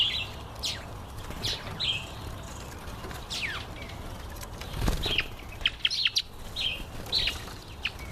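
Red-collared widowbird giving short, high chirps in scattered bursts, mixed with soft whooshing wing flutters over a steady outdoor hiss.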